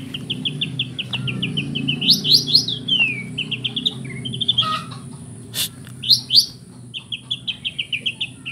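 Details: White-rumped shama singing bright phrases, with fill-in "kapas tembak" phrases woven in: rapid chip series, fast rising whistled sweeps and slurred down-notes, over a low rumbling background hum.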